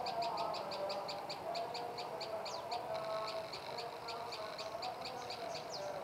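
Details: Prenjak lumut, a tailorbird, repeats crisp high chips in a steady rapid stream, roughly six a second, with a couple of downward-sliding notes near the end and low humming noise behind.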